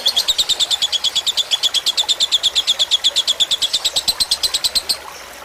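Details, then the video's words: Fighter-type lovebird song from a tutor recording with trickling water for caged birds: a rapid pulsed chatter of high chirps for about five seconds, then fading to faint hiss. "Suara masteran lovebird fighter dengan gemericik air"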